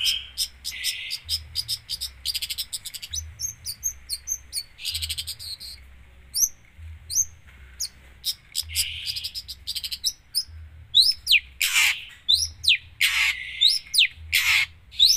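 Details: Long-tailed shrike delivering a long 'gacor full isian' medley: chattering bursts, short trills and runs of crisp high notes, becoming louder with harsh sweeping notes toward the end.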